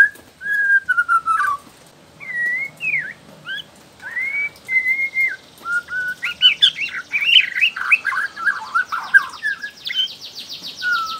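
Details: A young wild-caught Bornean white-rumped shama (speckled juvenile plumage) sings varied clear whistles, slurred and rising phrases at first, then a rapid run of rich fluty and chattering notes.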